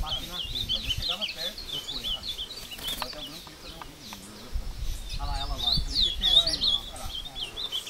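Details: Caged ultramarine grosbeak taken into woodland near Passos, Minas Gerais, Brazil, singing while fighting a wild bird; rapid high warbled phrases start and stop amid low rustling and background noise.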